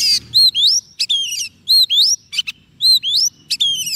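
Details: Decoy Oriental magpie-robin singing to call in wild birds: a loud whistled phrase of upslurred and downslurred notes with short buzzy bursts, repeated almost identically about every two seconds, against quiet low background noise.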